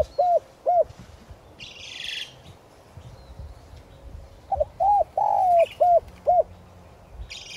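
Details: Spotted dove decoy calling to attract wild doves, in the 'giọng son' voice style; a pair of quick coos, then a five-note cooing phrase with a drawn-out middle note, and brief hissy noise bursts.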